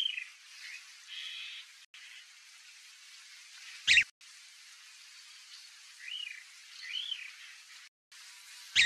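Chalk-browed mockingbird giving varied phrases: a buzzy opening, short chirps, then slurred up-and-down whistled notes near eight seconds, with a few loud clicks.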